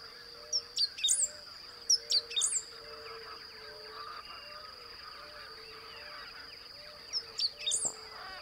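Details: Three short, high song phrases of Great Pampa-Finch (Embernagra platensis), each a few sharp chips ending in a buzzy flourish, under a steady shrill insect drone, at Blue-throated Macaw Reserve in forested savanna of lowland Beni, Bolivia.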